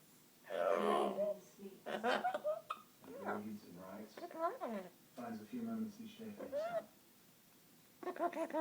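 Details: A 17-year-old pet Amazon parrot sings in a human-like voice, with wavering, bluesy phrases, rising and falling slides, and short breathy pauses, in a small quiet room.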